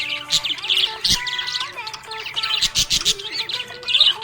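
A budgerigar chatters in quick, high, scratchy chirps and warbles that come almost without pause, over steady background music.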